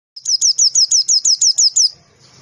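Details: White-eye (pleci) singing a 'tembakan' burst used as masteran training audio: ten sharp, high notes sliding downward, evenly spaced about every fifth of a second, then a quiet tail.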